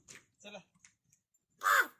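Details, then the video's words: Talking black crow from Wada, Palghar, India: a couple of soft, short voice-like sounds, then one loud, harsh, rasping caw near the end, with quiet surroundings. "पालघर वाडा मधील बोलणारा काळ्या कावळा"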